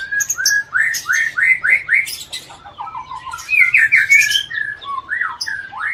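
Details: Aceh white-rumped shama kept in captivity, singing with imitations of birds such as ciblek, tengkek and cici merah. A rapid series of rising whistled notes is followed by dense chatter and a few clear slurred whistles.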